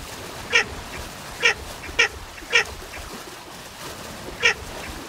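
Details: Baer's pochard giving five short, harsh, nasal quacking notes at uneven intervals over a steady low background hiss.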